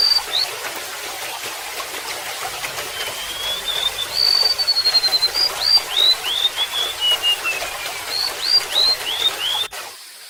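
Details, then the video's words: Golden-bellied gerygone singing over trickling water, meant for tutoring caged birds. Quiet water hiss opens the recording, then from about four seconds a run of thin, high whistles slides and descends in quick repeated phrases before ending abruptly. "SUARA BURUNG REMETUK LAUT"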